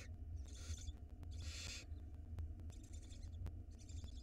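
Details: Barn owl chick on a live nest camera in Israel, swallowing a mouse whole; two breathy hissing bursts come close together, then fainter rasping, all over a deep background hum and sharp clicks.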